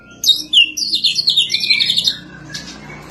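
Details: Champion white-rumped shama, a caged competition bird, delivering a fast run of high chattering, whistled notes that ends in softer trailing sounds.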